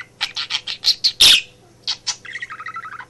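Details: Pet male budgerigar indoors in a home office, chattering and mimicking speech while its owner works: a quick run of short high chirps, one harsh burst, then a couple of notes and a buzzy warbled phrase, with a steady low hum behind.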